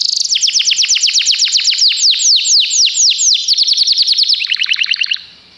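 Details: Canary song built from rapid series of loud downward-sweeping whistled notes, about four or five per second, shifting to a quicker, slightly lower tour before stopping abruptly.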